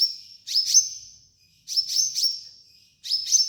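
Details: High-pitched sunbird song for training other birds. Three bursts of quick clicking notes each trail into a long, thin, piercing whistle, with short silences between them.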